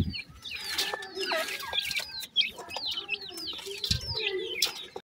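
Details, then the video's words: Several black francolin chicks calling for their mother, with dense overlapping high-pitched cheeping notes, some sliding downward, and a few louder squeaks. "pheasant bird chicks calling mother,sindhi titar k bacchay"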